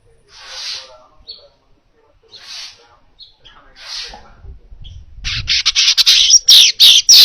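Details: Baya weaver song offered as a training recording for other cage birds: three soft, breathy buzzy bursts about two seconds apart, then a loud, rapid run of harsh buzzing chatter at the end.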